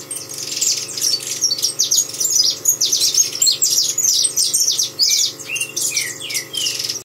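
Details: Busy, high-pitched chattering song of a saffron finch, with crowded sharp chirps and scratchy notes, followed near the end by a few clearer downslurred whistles.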